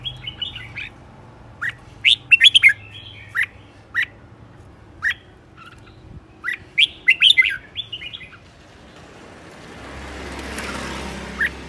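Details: Red-whiskered bulbul used as a decoy, aggressive and spinning about, delivering lively bursts of rich, slurred whistles and chirps in phrases of several notes, pausing between them, with a rushing noise and one final note at the end.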